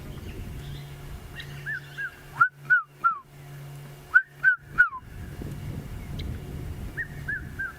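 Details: A Red-chested cuckoo calls from quite far away, unseen, during a sunset game drive in Africa: loud whistled three-note phrases falling in pitch, repeated every couple of seconds over a low vehicle engine hum.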